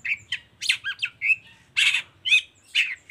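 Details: A vigorous long-tailed shrike song, played to coax other shrikes into singing. Short rasping notes mixed with nasal whistles, roughly two per second in irregular rhythm.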